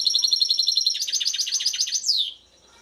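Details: A European goldfinch from Šuto Orizari delivers a dense, high trill of quick, ringing notes, then a slurred descending note that fades away.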